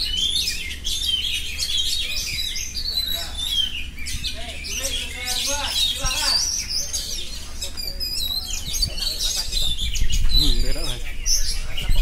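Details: Oriental magpie-robin in 'ngerol' song, rattling off a rapid series of chirps, rolling trills and whistled slurs, with a low wavering murmur rising near the end.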